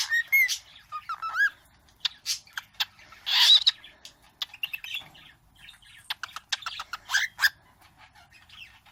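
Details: Almost one-year-old pet bird copying its owner's sounds such as a tune, kisses and 'ahh': bright looping whistles, quick smacking clicks and chirps, and a brief rough burst, in short irregular bursts with quiet gaps.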